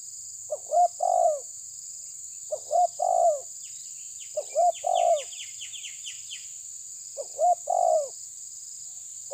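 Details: Spotted dove of tabir style challenging a rival, repeating low three-note coo phrases about every two and a half seconds while another small bird gives a rapid series of high descending chirps in the background.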